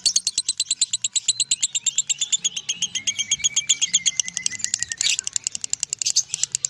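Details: Lovebird in continuous ngekek song: quick, harsh, high chatter repeated many times a second, with a thin descending whistle threaded through the middle and a short noisy burst before the rapid chips resume.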